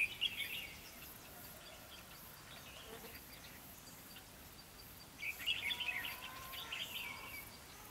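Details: Decoy red-whiskered bulbul at a trapping site, 3 November 2016, singing to draw in wild bulbuls. A quick chirpy warbling phrase opens the recording, then a quiet gap, then a longer run of bubbly notes from about five seconds, over a constant noisy background.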